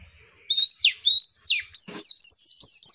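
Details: Female white-eye tutoring song to get birds to open their beaks: a few longer rising whistled slurs, then quicker high chirps strung together in a fast, bright sequence.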